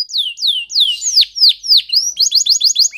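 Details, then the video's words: Spanish Timbrado canary training song: a series of slow, loud downward-sweeping whistles, roughly three each second, followed by quicker, paired bright chirps. "The Best Canary's Training song"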